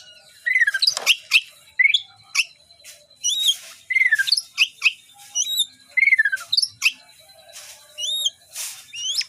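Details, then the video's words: White-rumped shama, a caged contest bird being readied for a singing competition in Indonesia, delivers loud varied song: slurred whistles sweeping down and up, sharp chipping notes and rapid buzzy trills in quick bursts with short pauses. "Murai sudah mulai siap di lombah"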